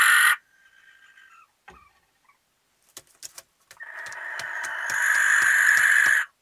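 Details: A barn owl of a pair in a nesting box, their first time there, in Recke, Germany, on May 13, 2021, gives a long, harsh, hissing screech lasting over two seconds, after a brief rasping burst and a few scratchy knocks.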